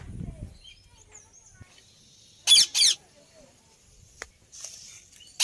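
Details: Indian ringneck parakeet: a quick pair of harsh, raspy screeches, then a short click and a further shrill burst at the end, over quiet background noise.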